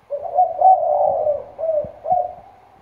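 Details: A spotted dove decoy bird from Trà Vinh with a loud, thunderous voice gives a deep cooing phrase: a drawn-out, slightly wavering coo followed by two shorter low, hollow coos, with no other sounds.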